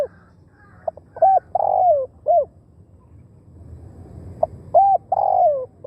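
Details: Spotted dove kept as a decoy to attract wild doves, Thailand: two mellow cooing phrases, short stuttered notes leading into a long, gently falling coo and a brief closing note, separated by about two seconds of quiet hum.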